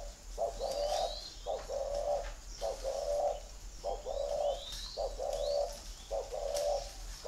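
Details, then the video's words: Spotted dove at a bird garden in Ba Vì, Hanoi, Vietnam, cooing in the gù thổ style: about eight husky mid-pitched coo phrases, each roughly half a second long, repeated steadily about once per second, with faint chirps above. "gù thổ"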